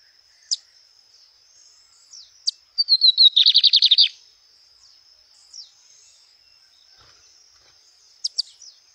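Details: Lined seedeater singing in the wild: scattered sharp chips, then a falling whistle-like series merging into an intense buzzy trill of rapid pulses around one second long, more chips later over a constant high whine.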